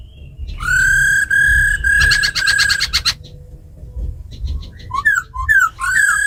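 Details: Captive black laughingthrush in wild-voice song with a female laughingthrush giving ro khẹt, used to spur wild-caught birds. Long ringing whistles run into a buzzy rattle, soft pause, then bright slurred whistled notes.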